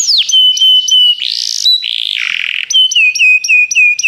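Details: Canary singing to motivate a canary: a steep downslurred note, steady whistled tones broken by short sharp pulses, a buzzy rattle, then a series of rhythmic clipped whistles.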